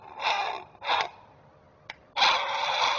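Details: A Great Blue Heron parent on a Chesapeake nest cam gives alert calls while protecting its offspring: harsh, raspy squawks, two short bursts, a pause, then a longer grating call.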